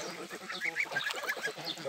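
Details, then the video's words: Domestic geese out swimming on the Volga river, Russia, from a home smallholding; rapid overlapping nasal honks with a few higher squeaky notes, a busy flock chorus throughout. "Гуси. Волга. Гусиное счастье - плавать."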